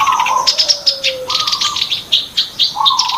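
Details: Short stretch of black-browed reed warbler song for luring birds into traps: grating chatter and harsh high notes in quick pulses, with a falling whistled tone and clear mid-pitched whistles.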